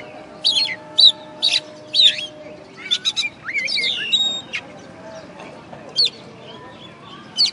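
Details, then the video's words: Oriental magpie-robin, a first-place singing contest winner, caged contest bird from West Kalimantan, Indonesia: loud varied phrases of sharp whistled notes and rising-falling slurs, in bursts about once a second, with quiet background hum. "Video Kacer Juara 1 Habis Gantang"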